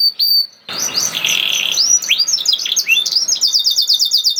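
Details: Canary singing 'nembak'-style as a lure for lazy canaries to join in. A brief whistle and a short gap open the song. A buzzy, noisy trill follows, then a string of quick rising and falling chirps.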